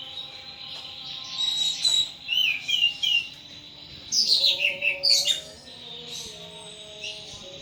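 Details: Caged thrush belonging to a bird keeper, singing: clear whistled notes and quick descending slurred figures in two main bursts, a steady high tone underneath, quieter between phrases.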